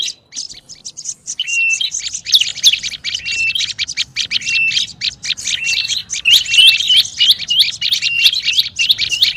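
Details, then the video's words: Olive-backed tailorbird lure sound, noisy and agitated: after a quiet start, bursts of quick sharp chips build into a continuous high chatter with scattered short steady whistles. "SUARA PIKAT BURUNG PRENJAK LUMUT RIBUT"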